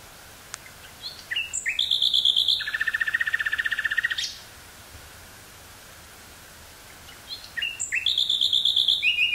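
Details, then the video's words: Common nightingale in the woods near Burgh-Haamstede, Netherlands, May 18th 1983, cassette tape; a complex phrase with a rapid churring rattle lasting about two seconds, silence, then a new phrase begins. "Nightingale singing near Burgh-Haamstede, NL"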